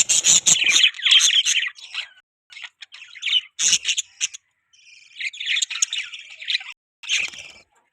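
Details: Several budgies chattering in quick warbled bursts, scratchy chirps and buzzy squeaks coming about three per second, separated by short silent gaps and a few clicking knocks.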